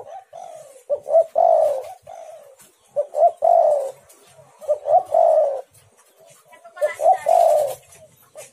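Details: Spotted dove played as a lure to make rival doves call back: phrases of quick short coos run into a longer, husky, low coo, repeated about every two seconds, with a brief burst of hiss near the end.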